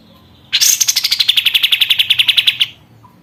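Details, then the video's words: Sooty-headed bulbul kept in a cage for a month, in full song: a high sliding opening note running straight into a two-second rattling trill of about twenty quick, even, buzzy pulses. "BURUNG KAPAS TEMBAK GACOR"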